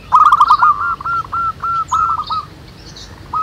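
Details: Local zebra doves singing together in the wild, used as a lure to make other doves sing: rapid series of soft, rolling cooing notes repeated in a steady trilled pattern, with faint higher chirps from other birds in the background.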